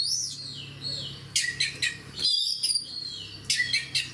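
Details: An oriental magpie-robin sings in full fighter style: a falling whistled slur, then clusters of loud, scratchy, chattering notes and high whistles, separated by brief pauses.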